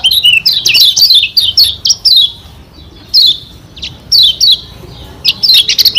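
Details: Yellow Lombok white-eye (kecial kuning) delivering a loud masteran song meant to provoke rivals: dense bursts of sharp, high, down-slurred chirps, with short pauses between twittering phrases.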